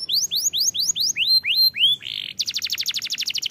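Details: Singing canary meant to stimulate young birds to sing: seven clear upward-sweeping whistles, a brief harsh buzz, then a fast even trill of high pulsed notes.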